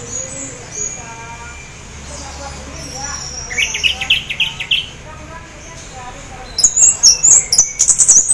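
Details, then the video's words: Orange-headed thrush, half in breeding condition, singing to encourage other orange-headed thrushes to sing: soft high notes, a buzzy trilled burst in the middle, then a fast run of very high, sharp chirping notes. "anis merah teler setengah birahi bagus untuk pancing anis lain agar ikut bunyi"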